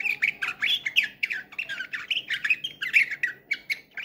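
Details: Canary from Ankara, 2023, singing in the bülbül-style slavujar manner: a rapid, continuous chain of short chirping syllables, mostly mid-to-high pitched, repeated in quick bursts several times per second.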